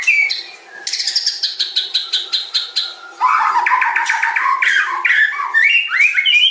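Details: Song of a murai batu, the white-rumped shama: rapid, even, clicking trills, then a dense stretch of lower chattering notes and short rising whistles.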